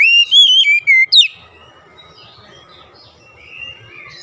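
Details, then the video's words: Oriental magpie-robin lure song meant to start lazy, stalled birds singing: a loud whistled phrase of four wavering notes with a sharp upward flick, then quiet background with faint twittering. "KICAUAN PEMIKAT KACER MACET MALAS BUNYI PASTI CEPAT GACOR NGOTOT"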